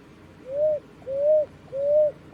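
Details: Three gentle, slightly rising whistled notes from Picui ground dove nestlings, evenly spaced and fading at each end, on a quiet background.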